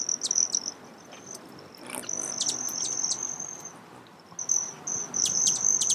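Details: Broad-tailed hummingbird heard as an intermittent high thin buzzing trill with clustered sharp chips, fading out mid-clip and returning strongly near the end.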